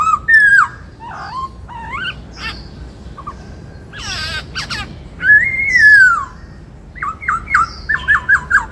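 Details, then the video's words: White-cheeked laughingthrush kept as a songbird, giving its 'bắt cô trói cột' song: loud whistled notes that rise and fall, harsh squawky bursts, a long arched whistle, then a quick run of short clipped whistles. "Chim Khướu bạc má hót giọng bắt cô trói cột"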